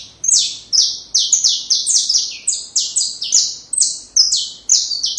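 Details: A saffron finch sings a steady flow of bright, high, slurred notes, each with a sharp start and fading tail, delivered quickly and almost without pause; song meant for training young birds.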